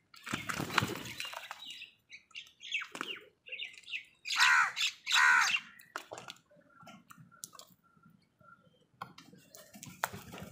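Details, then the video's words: Crows squabbling over food, one tearing a leaf angrily: harsh, broad cawing squawks in a loud burst of two or three near the middle, scattered shorter calls and rustling around them. "crow bird live crowing sounds | crow torns the leaf angrily |angry kauwa ki awaaz Crow Sound"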